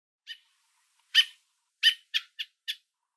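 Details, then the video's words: American robin perched on a fence in southern Ontario, Canada, food in its beak, calling to its fledgling below and warning an observer to back away: short harsh broadband calls, two louder ones then a quick run of four. "American Robin Calling Its Fledgling On a Fence With Food In Its Beak"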